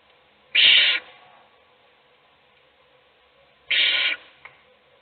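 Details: In a nest box, an adult owl feeds one chick while the others sleep; two harsh, breathy screech-hisses about three seconds apart, followed by a brief click.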